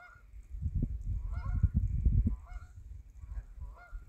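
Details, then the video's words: Canada geese passing overhead in flight, repeating nasal, harmonic honks in small bursts about every second, with strong low-pitched wind buffeting beneath. "Canada geese flying by"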